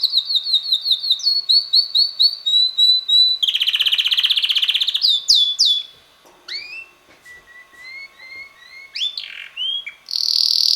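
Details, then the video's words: Six-month-old red male canary singing, melodies shifting week to week: rapid repeated chirps, a dense buzzing roll, sharp upward sweeps, then softer lower whistled phrases ending in a loud high buzz. "red canary bird singing - roter singender Kanarienvogel"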